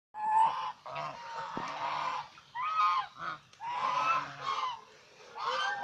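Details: Domestic swan goose, also called Chinese swan goose, kept as a pet; loud nasal honks in short bursts separated by brief pauses, several birds calling in turn, with deep harmonic tones under brighter upper notes.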